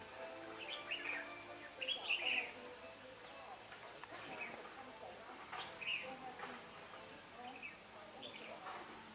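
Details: Wild-caught red-whiskered bulbul being trapped, described as having a bell-like voice: short, bright, warbled phrases given in separate bursts every couple of seconds, with people talking quietly and a hissy background.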